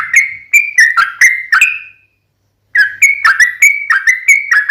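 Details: Sooty-headed bulbul in a long rapid lure song, meant to provoke other bulbuls into answering: bright whistled notes with sharp attacks in a quick run, a two-second pause, then another chattering burst.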